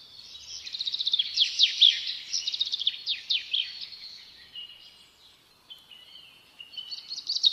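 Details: Sparrows chirping in a busy, overlapping run of high twittering notes and fast trills, louder at first, then a softer thin whistled phrase before a final burst of chirps, with a faint background hiss.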